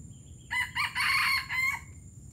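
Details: Junglefowl from Palembang crowing, a call described as gerabas: a harsh, harmonically rich crow of about 1.3 seconds in four linked bursts, the longest in the middle, over faint low background rumble.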